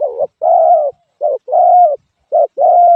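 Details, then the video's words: Spotted dove cooing steadily: three cycles of a brief clipped note followed by a longer, even, hollow coo, delivered close and loud against silence. "suab nquab lauj kaub tawg เสียงนกเขาใหย่"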